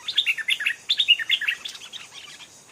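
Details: Stripe-throated bulbul, an old, aggressive wild bird responding to a caged decoy bird in Thailand; a rapid run of bubbly, warbled notes with quick pitch swoops, loudest early and fading toward the end.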